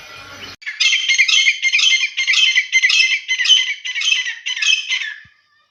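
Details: A wild grey francolin gives a run of about ten harsh, scratchy, high notes, roughly two per second, after a brief burst of noise.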